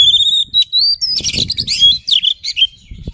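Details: Oriental magpie-robin song: loud, clear whistled notes, first steady high tones, then a rapid tumble of sweeping, chattering phrases with short pauses.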